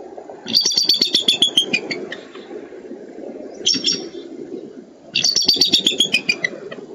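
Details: Captive eagles bound for Minnesota, recorded 13 April 2013, give two bouts of high, thin chittering notes that fall in pitch, about a dozen quick notes each, over a low, steady rumble.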